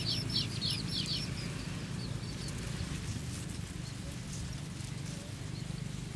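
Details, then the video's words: Golden sparrow chicks in the nest, waiting for food, call in a fast run of high, thin, downward-sliding chirps at the start. Scattered softer peeps follow over a constant low rumbling hum. "Baby Golden Sparrow's Anticipation: Waiting for Bay's Feed"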